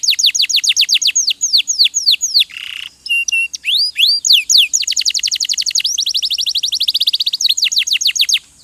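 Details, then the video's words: Caged-style canary master song for encouraging birds to sing: long bursts of quick, high, repeated downward-sweeping notes, broken by a brief buzzy note and short whistles, then another fast steady trill. "MASTERAN KENARI RAJIN BUNYI"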